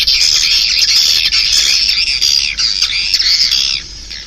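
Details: Swiftlets calling; a dense, continuous mass of high, rasping twittering chirps, loud and unbroken for nearly four seconds before fading.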